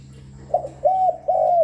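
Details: Spotted dove call meant to lure and stimulate doves: a short soft opening note followed by two longer, level, hollow coos, with a constant low electrical-sounding hum underneath.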